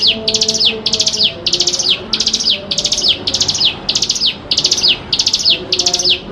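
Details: Javan prinia lure song meant for young birds to learn from: rapid, regular series of sharp, high descending notes grouped in short chattering bursts, roughly ten bursts over a few seconds, over a quiet low hum.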